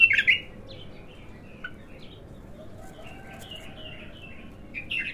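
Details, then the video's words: A raw, untrained bulbul in its first singing session gives short, bright, liquid phrases at the start and the end, with softer scattered chirps between them over a low background hum. "تغريد الابتر خام اول فتحـه له"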